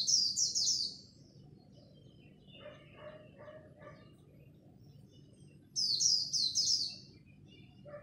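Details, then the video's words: Japanese white-eye singing the khuyên líu style in a dawn singing contest, giving rapid high twittering bursts that slide downward, two phrases about five seconds apart, with lower chirps between them and a faint low hum. "Khuyên líu đấu lúc bình minh, kích bổi mau nổi!"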